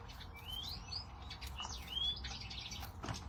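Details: Goldfinches twittering: quick high chirps mixed with clear whistled notes that slide up and down, over a steady low background hum.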